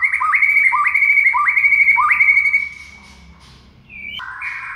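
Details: Murai batu masteran song for coaxing quiet shamas to sing; a fast string of identical rising whistled notes repeated about three times per second, then a pause and a lower buzzy phrase.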